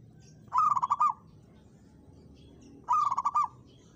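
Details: Zebra dove of a local strain challenging a rival: two loud bursts of quick, rolling, stuttered cooing notes about two seconds apart, with faint low background hum.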